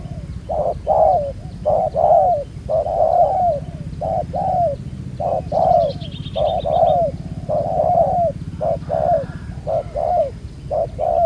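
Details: Spotted dove, a freshly trapped wild bird with a black-spotted neck collar, lured by a ground decoy and said to coo well; a long run of throaty two- and three-note coos repeated roughly once a second.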